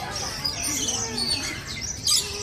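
Lorikeets give shrill, screechy chatter, several harsh high notes overlapping, ending in a louder burst; faint murmuring voices may sit underneath.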